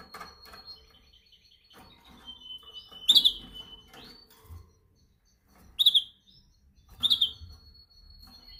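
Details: Canary singing during song training practice, indoors: long steady whistled tones held near one pitch, broken by three sharp bright chirps a few seconds apart, with faint low background rumble.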